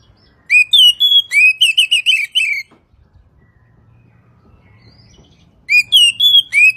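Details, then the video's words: Oriental magpie-robin singing a tutor recording for morning and evening: a fast chain of rich whistled notes over about two seconds, a long silence with faint low hum, then the phrase starting again. "masteran Kacer pagi dan sore"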